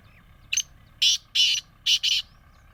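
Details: Black francolin kept for sale in Bhakkar district; a short grating call of five harsh, buzzy bursts, a faint opening note then two pairs of loud rasping notes in under two seconds, quiet background.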